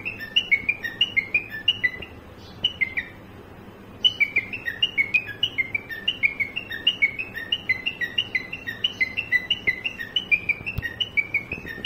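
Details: Captive cockatiel copying a car horn, giving rapid runs of bright whistled two-tone notes that seesaw in pitch, broken by a short pause before the pattern resumes and continues to the end.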